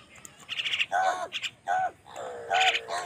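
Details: Crow angrily competing with wild birds for food: several loud, drawn-out, falling caws with a nasal, harmonic tone, close together, overlapping with higher chattering calls from other birds.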